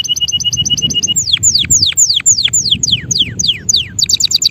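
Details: Male canary in song: a quick trill of paired high notes gives way to loud downward-slurred whistles repeated about three times a second, ending in rapid high chips; soft low background noise.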